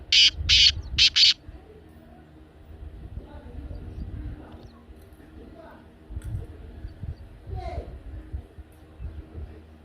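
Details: Kala teetar, or black francolin, calling to prompt a pet bird to answer: a quick burst of three rasping notes at the start, then near silence with faint low rumble for the rest.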